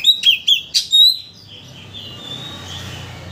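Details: Brief burst of Oriental magpie-robin lure song, played to rouse another bird into full singing: four loud sharp whistled notes within one second, followed by faint background warbling.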